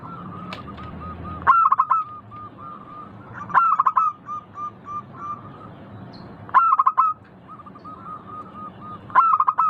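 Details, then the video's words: Local zebra dove with a melodious, crystal-clear voice, singing a phrase every two to three seconds: a sharp loud burst of quick stuttering coos, then a softer run of evenly spaced short notes trailing off. "Suara burung perkutut lokal Merdu kristal Jernih"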